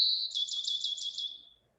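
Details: Bachman's sparrow summer song in upland pines managed by prescribed burning: one long, clear, high whistle, then a fast, buzzy, rattling trill on a similar pitch fading after about 1.5 seconds.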